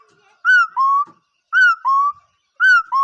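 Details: Bird giving paired whistles: a short higher note bending down, followed by a lower steady note. Three pairs are spaced about a second apart against a silent background.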